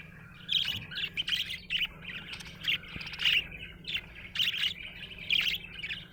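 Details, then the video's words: Budgie in good spirits, chirping busily: dense scratchy warbling broken by loud squeaky peaks several times a second, rising and falling in volume, faint hum below. "Happy budgie chirping sound"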